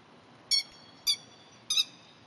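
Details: Grey-headed lapwing pair calling at full voice and spreading wings to drive an intruding cat from their rice-paddy territory, 30 May 2010; three loud, harsh, ringing shrieks about half a second to a second apart over a quiet background.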